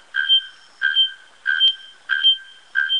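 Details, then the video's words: A Bare-throated Bellbird rings out loud, metallic, anvil-like notes, five in a steady series about every two-thirds of a second, with no other sounds. "Canto da Araponga"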